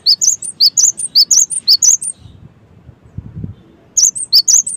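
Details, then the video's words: Cinereous tit song used to prompt other tits to sing: two seconds of rapid, shrill three-note chirp phrases, a gap with some low thumping, then the repeated phrases return. "SEmuA GelaTIk LangSung iKuT GaCor deNgarkan suara GELATIK BATU gaCoR ini"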